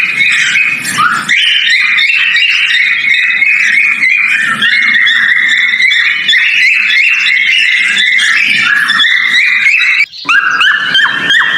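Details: Breeding male cockatiel giving its mating call, a long unbroken stream of chattering, wavering whistles that rise and fall, ending in a few sharp upward-sweeping notes after a brief gap.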